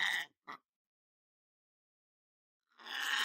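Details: Pet male lorikeet indoors at home: a brief harsh screech and a short chirp, a long silence, then another rough, grating screech begins.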